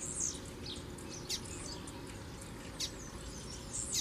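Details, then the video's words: In the bush, a kept double-collared seedeater male and a strong, wild, black male sing against each other. Fainter, high, slurred and buzzy notes come at short intervals beneath noticeable hiss and insect-like background noise. "Casal de Coleiro na Puxada de Fibra no Mato"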